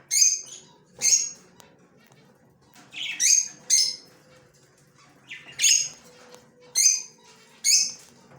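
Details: Yellow male budgerigar, recorded October 9, 2024, giving harsh, bright chirps in short bursts, seven spaced through the recording, roughly one each second, with a faint low hum behind.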